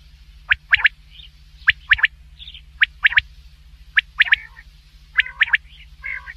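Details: Black francolin giving a rhythmic call of clipped, sharp notes bunched in quick groups of three, repeated about once a second, with a few softer rasping notes between and a constant low hum underneath.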